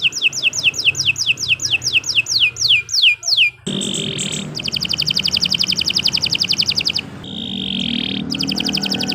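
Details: Canary singing a long, varied song: rapid descending whistled sweeps, then high rapid rolling trills, with a low hum behind.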